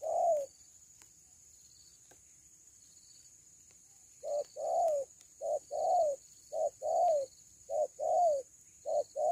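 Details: Loud cuckoo call, known locally as kuku: a single hoot, a pause of several seconds, then a run of paired low hoots, short then long and falling, coming roughly once a second.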